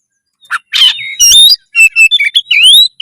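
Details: Oriental magpie-robin (kacer) singing loudly to stir breeding drive and fighting mode; a harsh raspy note opens, followed by bright whistled slurs and quick chattering notes that climb toward the end.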